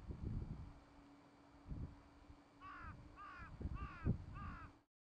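A Whiskered Tern gives four harsh, rasping calls in quick succession, about two a second, over low rumbling wind and a faint steady hum.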